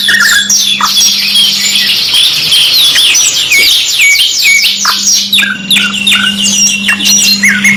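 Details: Canary song from a two-in-one training recording: continuous fast trills of sharp descending whistled notes, several rolling runs back to back, with a few deeper sweeping notes and a low constant hum.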